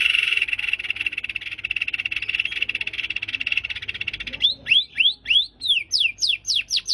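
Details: White-rumped shama song full of varied phrases, meant to rouse other birds: a long continuous buzzy rattle, then from about four seconds loud rising whistled slurs repeated quickly and evenly.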